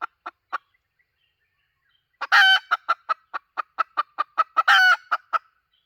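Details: Hen call used as a lure to draw in birds, recorded 2023-2024: a series of short clipped clucks about a quarter second apart, broken by two louder drawn-out harsh cackles, then more evenly spaced clucks.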